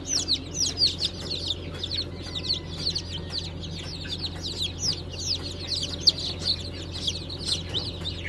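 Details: A group of newly hatched Brahma chicks from a 20 April 2020 hatch of light, gold and blue varieties keeps up a steady, crowded chorus of high, sharp, falling cheeps. A low background hum continues throughout.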